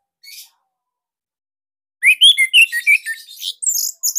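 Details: Caged Bali-type orange-headed thrush singing master material for cage birds: after a brief faint note and silence, a rapid run of loud, tight whistled and chattering notes fills the last two seconds.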